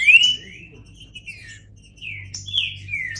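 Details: Green-winged saltator giving a few drawn-out whistled notes that slide gently down, separated by short pauses, over a faint low hum.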